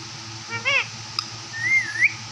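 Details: Talking parrot: a short harmonic-rich syllable, then a rising, wavering whistle-like phrase, over a steady background hum.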